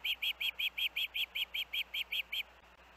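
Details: Osprey near its Hellgate nest with the two young birds, 23 August 2024: thirteen bright whistled chirps in quick even rhythm for two and a half seconds, then they stop, leaving low background noise.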